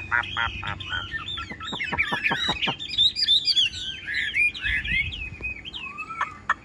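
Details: Caged Chinese hwamei with yellow bill, singing on a rainy day: a burst of fast descending strokes leads into bright, twisting whistled phrases.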